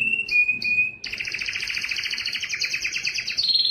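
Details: A yellow canary sings clear high whistled notes broken by short buzzes, then launches into a long, rich, fast-rattling trill that steps slightly higher near the end.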